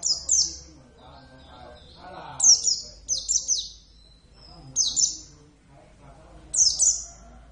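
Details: A captive oriental white-eye of the Javan subspecies sings lively bursts of high, descending tweets, sometimes three in quick succession, while low voices talk quietly in the room.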